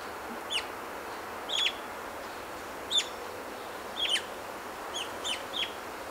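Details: House finch in southwestern British Columbia giving short, bright chirps, single or in quick pairs, about eight in six seconds at an uneven pace, over a steady background hiss.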